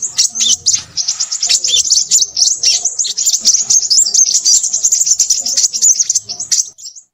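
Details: Crimson sunbird pouring out a fast, chattering song of high, thin chirps, about four notes a second, irregular in spacing, fading out near the end.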